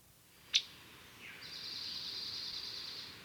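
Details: Female Scarlet Tanager's soft, musical call, possibly a contact call near its nest: a brief tick, then a thin, high note that rises and holds steady for nearly two seconds.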